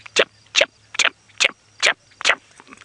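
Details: Red-backed Shrike alarming at a predator at dawn in Djuma Game Reserve, South Africa, 7 April 2017, gives six harsh, rasping chack notes, evenly spaced about every 0.4 seconds, over a faint low engine hum.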